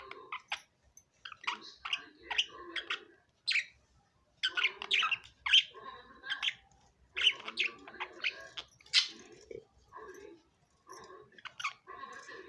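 Budgerigars chatter with quick, scratchy chirps and warbles in uneven bursts.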